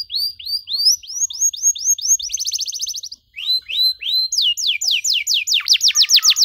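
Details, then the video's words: Canary in full song for young birds learning to sing, with ornate phrasing: repeated upward-flicked chirps, a brief buzzy trill, more rising notes, then a fast series of descending whistled strokes. "KENARI GACOR DORR NEMBAK PANJANG, CENGKOK MEWAH COCOK BUAT KENARI MUDA BELAJAR BUNYI"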